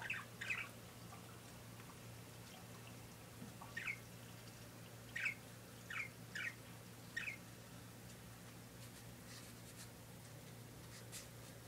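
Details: A single pet parakeet indoors makes sparse, short sharp chirps: a couple near the start, then a cluster of five spaced about a second apart. A steady low hum fills a quiet room between calls.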